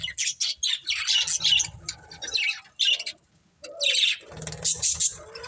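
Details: Budgerigars in a pet family chirping in short scratchy warbled bursts and squeaks, with a brief lull midway and a faint low hum beneath.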